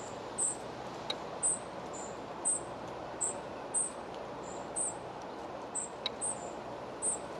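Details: Spotted flycatcher at a nest near Moscow, 17 July 2023, during feeding time: about thirteen very high, thin, short notes repeated roughly every half second over steady low background hiss, with a few faint clicks.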